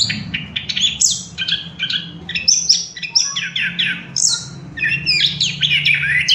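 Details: Orange-headed thrush in lively song used to stimulate other birds to sing: dense, fast runs of sharp whistles, rattles and sliding notes, continuous over a constant low humming background.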